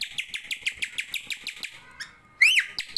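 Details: Oriental magpie-robin singing: a fast series of short, sharp chirps about every 0.15 seconds, then a pause, a thin whistle and a loud, rising-then-falling whistled note.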